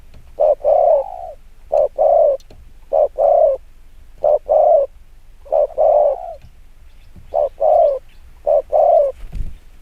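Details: Rapid spotted dove coos in 'gù kích bổi' style: eight evenly spaced pairs of mellow low notes, each a quick short coo leading into a longer one.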